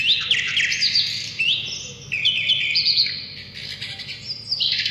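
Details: Asian brown flycatcher singing actively, used as a lure for catching birds and as a song tutor for other songbirds: a busy, high run of short whistled slurs and chirps, some notes held then dropping, with quick changes throughout.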